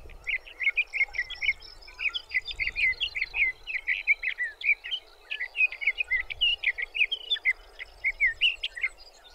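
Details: Sage thrasher singing in June at Arapaho National Wildlife Refuge, Colorado: a long, continuous warbled stream of quick varied notes, many short phrases run together, over a steady low background hum.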